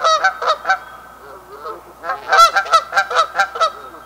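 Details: Canada goose honking: a quick burst of three nasal honks, a quieter lower murmur, then a rapid series of loud, overlapping honks from more than one bird, each note rising then falling.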